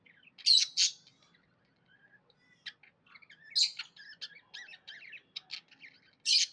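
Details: Happy budgerigar chirping with gaps: two loud harsh chirps open, then scattered quiet twittering notes, a run of clicky chirps, and one more loud rasping chirp at the end.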